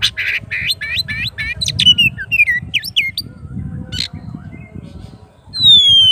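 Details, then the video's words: Oriental magpie-robin in full song calling out to a rival, pouring out a dense run of quick, varied chirps and twittering notes, then a pause before a long pure whistle, over steady low background rumble. "KACER GACOR MANGGIL LAWANNYA BIKIN NYAUT DAN NGEPLONG"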